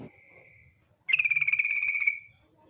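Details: Female yellow-vented bulbul calling the male with a ngetir trill used as a singing lure. One rapid pulsed rattle lasting about a second fades at the end, after a faint earlier trill and low background noise.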